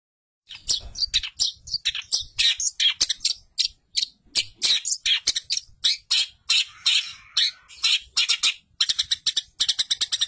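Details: Long-tailed shrike tutor song with imitations of house sparrow, canary, lovebird, kapas tembak and cililin: a rapid, varied run of sharp high chirps and scratchy notes in dense bursts, quickening into fast repeated ticks near the end.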